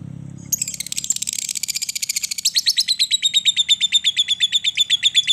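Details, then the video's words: Lovebird chatter used as a lure for lovebirds: a soft low murmur, then a dense high buzzy rattle that settles into a long run of evenly spaced shrill notes, about five a second. "pancingan Lovebird ngetik sambung ngekek panjang"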